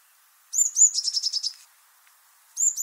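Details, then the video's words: A Eurasian blue tit gives two thin, high notes followed by a quick, slightly lower trill, and the high opening notes return at the end, with nothing else intruding. "Vogelstimmen: Die Blaumeise - Blue tit - Cyanistes caeruleus"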